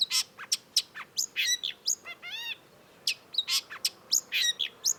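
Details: Long-tailed shrike (cendet) singing as a tutor recording: sharp whistled chips and clicks, a ringing rising trill midway, a short pause, then more quick chips.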